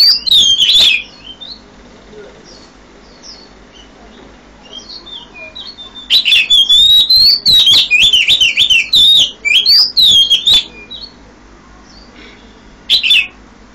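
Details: Oriental magpie-robin at 5 a.m. delivering loud bursts of varied whistled song separated by quieter pauses with soft faint notes, ending with a short sharp phrase.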